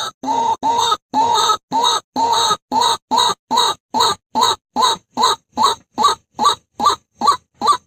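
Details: Daytime lure call of a white-breasted waterhen: loud, rasping, croaking notes repeated steadily about twice a second, starting longer and growing shorter and sharper, with no other sounds.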